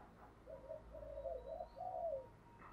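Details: Faint spotted dove cooing used as a driving coo to stimulate newly caught doves to coo quickly: a short series of low, hollow coo notes with soft room noise and a low hum.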